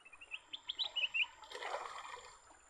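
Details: During a fight between caught leafbirds, a short string of quick, thin chirps rises in loudness, then gives way to a rushing noise.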